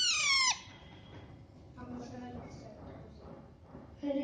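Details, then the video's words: Baby parrots feeding themselves: one loud, harsh, descending squealing chirp at the start, richly layered, then quiet shuffling and faint soft notes in an indoor setting. "Baby Parrots Natural Sound (Chirping)"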